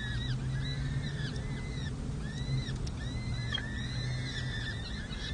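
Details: Peregrine falcons at a nest with four 6- and 7-day-old chicks on 7 May 2024, the male serenading while the female feeds them: thin, arched, whining notes repeated in quick overlapping runs, over a steady low rumble of background hum.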